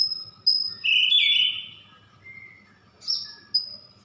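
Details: Siberian blue robin song of a thin, steady high whistle followed by a loud buzzy descending trill, a softer lower note, then the high whistle returning, over faint low background hum.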